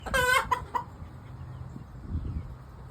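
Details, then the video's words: Easter Egger hen calling just after laying an egg: one loud, harsh, nasal squawk followed by two short clucks, then quiet background. "Our “Easter Egger” makes these sounds every time she lays an egg"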